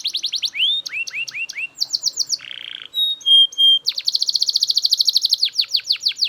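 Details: Belgian canary singing loudly, a string of distinct phrases: quick trills, rising slurred notes repeated four times, a buzzy burst, pure whistles, then a rapid high rolling trill.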